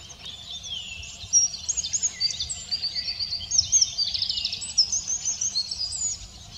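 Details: At Simunas on 2 April 2017, a Eurasian wren pausing from cleaning its feathers bursts into song: rapid, shrill trills and ringing chatter that start after a quiet second and run on to the end.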